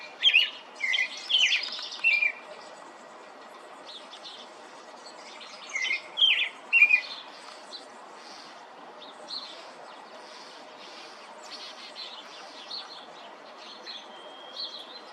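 A European robin sings thin, high, warbling phrases in two bursts, each a quick run of trills and slurred whistles, with fainter notes and a soft background hiss.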